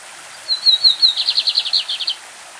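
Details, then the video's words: Brazilian lined seedeater performing its classic song: thin whistled notes open the phrase, followed by a rapid, slightly uneven run of buzzy chipping notes, with a stream in the background. "BIGODINHO CAMPEÃO CANTO CLÁSSICO"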